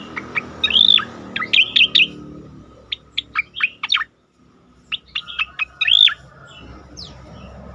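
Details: Striated grassbird giving 'tembakan' bursts for training other songbirds: clusters of quick, sharp notes mixed with looping whistled slurs, separated by a brief pause near four seconds, then another volley ending in a curved whistle.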